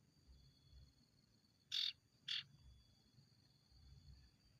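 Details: Ashy tailorbird, a lure recording for kept songbirds. Two loud, harsh, chip-like bursts sit about half a second apart mid-clip, with a steady high electronic tone and low background rumble.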